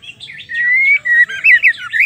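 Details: Female white-rumped shama, a caged bird, calling to provoke males into singing: whistled notes near two kilometres-pitch, a long steady tone then several short rising and falling slurred phrases, with a faint low hum behind.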